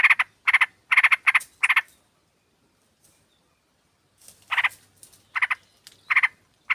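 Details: Sooty-headed bulbul female call to attract a male, used to lure birds: a quick burst of harsh chattering notes, two seconds of silence, then scattered single and paired rasps resume.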